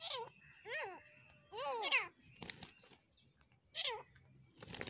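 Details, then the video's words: Black francolin (dakhani teetar) in a fight, giving repeated raspy, arched squawks about every second, several in quick pairs, with scuffling clicks and a burst of rustling between them. "dakhani teetar ki ladai ! Teetar ki larhai ! Amazing teetar fight"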